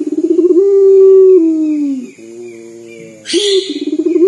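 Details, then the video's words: Local puter dove, known as a prolific caller, giving a tearful-sounding coo. A rapid pulsed lead-in rises into a held tone that falls off, followed by a quiet low hum and a hissing noise. Another stuttering start closes the clip. "PUTER LOKAL GACOR DOR SUARA SEPERTI MENANGIS"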